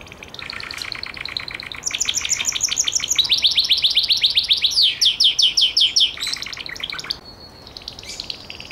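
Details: Gloster canary delivering a sequence of rapid trills at changing pitches, including a run of looping, swooping notes, before tailing off into softer phrases.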